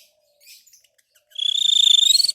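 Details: Orange-headed thrush used as a singing lure: a few faint scattered ticks, then a loud, fast, rattling trill held on one high pitch and rising slightly at the end.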